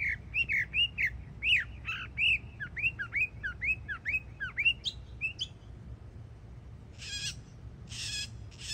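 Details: Yearling Northern mockingbird singing in Florida: a long series of repeated arched, whistled notes about once a second, then a few high chips, followed by two harsh broadband rasps near the end.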